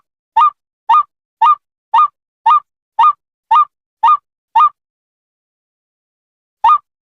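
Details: White-breasted waterhen calling: a loud, nasal, honking note with a rising inflection, repeated nine times at about two per second. A pause of roughly two seconds follows, then one final note. No other sounds.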